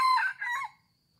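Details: Red junglefowl crow: the loud tail of a harsh, harmonic crowing phrase with a short dip, then a second strained note fading after about 0.7 seconds into near silence with a faint high tone.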